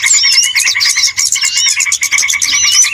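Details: Small birds in a noisy lure recording for trapping: dense overlapping chirps over steady rapid ticking, with quick looping whistled slurs high above, continuous for three seconds with brief dips.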